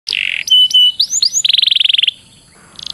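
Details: Canary master song favoured by contest judges, used to train canaries into champions: a whistled tone, rising upslurred notes, then a fast trill of about a dozen pulses and a later high buzzy burst.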